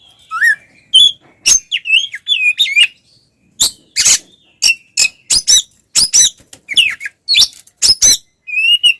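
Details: Oriental magpie-robin in fighting song to provoke other males: fast varied sequence of whistled slurs, sharp chips and harsh rasps, dense and energetic with brief pauses.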